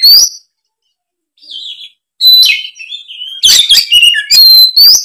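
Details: Oriental magpie-robin lure song in the 'gacor ngeplong' style for off-form young kacer; an isolated high note and a soft warble come first, then loud bursts of chattering and whistled phrases.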